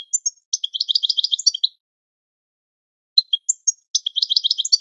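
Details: Two phrases of European goldfinch training song, each opening with thin separate high notes, then rolling into quick tinkling chatter, split by about a second and a half of silence.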